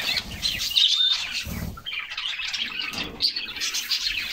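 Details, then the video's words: Canaries singing during a summer bath: a busy weave of high chirps and short trills, one clear whistled note early on, and brief bursts of splashing water. "Summer Serenade: Canaries Singing and Splashing in a Refreshing Bath"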